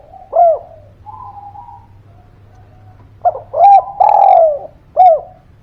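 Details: Lure call of a spotted dove meant to prompt silent birds to answer: a single mellow coo, a faint humming note, then a grouped phrase of short coo, longer falling coo and a closing short coo.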